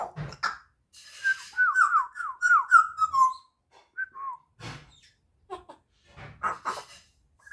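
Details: Young African grey parrot kept as a pet, eight months old and learning to mimic, whistles a quick descending run of slurred notes, then scattered clicks and short calls while a person talks nearby.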